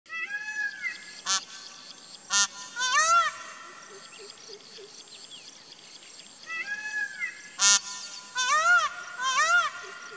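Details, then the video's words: Indian peafowl calling: two bursts of loud, arched, harmonic wails, each run of several calls separated by sharp clicks, with a quiet stretch of background rustle between the bursts. "Indian Peafowl Calling"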